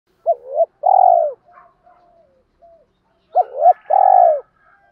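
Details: Spotted doves, male and female, cooing to stimulate birds in training: two phrases about three seconds apart, each a short double note then a long, steady, slightly falling coo. Faint chirps are heard between them.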